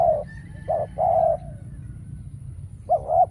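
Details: Trapping decoy spotted dove calling; one full cooing phrase of a short double coo and a longer trailing coo, then a pause before another phrase begins, with a faint thin whistle from another bird early on.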